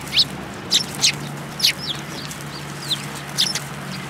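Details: Eurasian tree sparrows at a Tenmangu shrine, Japan, on 10 February 2022, coming to be fed: short, bright chirps in loose bursts, about one a second, over a steady low hum.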